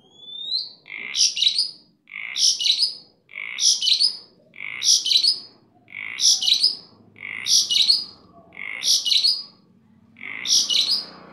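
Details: Kept starling singing energetically: a rising whistle opens a run of nine harsh, chattering chirp phrases repeated about once a second, loud and close.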